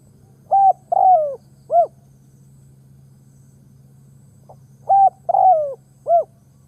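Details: Ground decoy spotted dove calling to draw in wild doves. Two identical cooing phrases come about four seconds apart, each a level coo, a long downward-sliding coo and a short arched coo. A faint low hum persists throughout.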